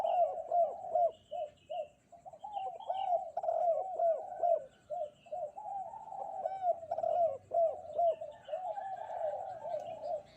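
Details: Spotted dove cooing steadily on a bright morning, continuous series of short arched coos and longer low notes repeated over ten seconds, with faint higher chirps in the background.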